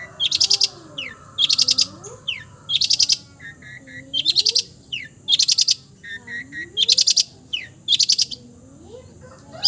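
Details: Long-tailed shrike in mimicking song, repeating a loud buzzy, rattling burst about every 1.5 seconds, with softer rising whistled notes woven between the bursts.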